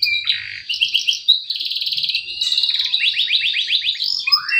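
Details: Canary singing as a lure for a bird that has gone quiet: buzzy rattles, rapid repeated trill notes, then a run of falling chirps and a rising final whistle.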